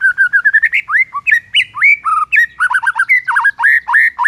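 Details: White-rumped shama in morning song meant to provoke rivals: loud, rich whistled phrases with swoops, slurred upward and downward notes and quick repeated elements, delivered continuously and varied.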